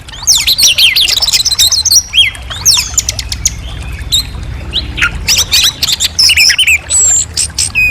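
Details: Clear song of an Orange-headed thrush, rapid varied whistles and trills packed into energetic phrases, with sharp clicking notes between them and almost no pauses.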